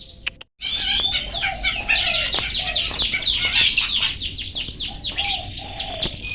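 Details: Long-tailed shrike song of the 'toet toet' style, used as a master recording to train pet birds to sing: a fast, dense run of sharp, high chattering and scratchy notes that continues for about six seconds without pausing.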